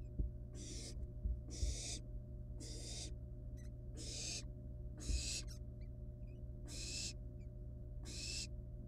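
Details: Harsh snoring hisses from wild barn owl nestlings handling live prey at the nest, seven or eight bursts spaced just over a second apart, with faint thumps and a steady background hum.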